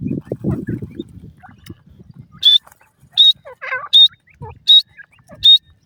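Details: Iranian partridge hen with chicks: after low rumbling handling noise, five clean high piping notes ring out at even intervals, with a softer lower chirp between them.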